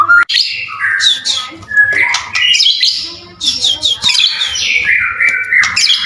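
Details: White-rumped shama song for provoking other shamas to sing back: continuous varied whistles, rasping bursts and sliding notes, with a faint low hum underneath.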